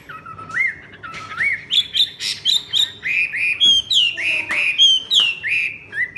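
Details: Wild-caught female Chinese hwamei, two seasons old, singing a bright run of clear whistles: rising, looping notes repeated several times a second, climbing step by step in pitch, then dropping back.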